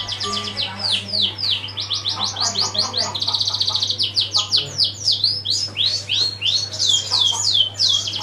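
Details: Canary song used to draw other birds into singing: long rolling series of fast high sweeping notes, a buzzy trill in the middle, then quick pulsing repeats, over a steady low hum.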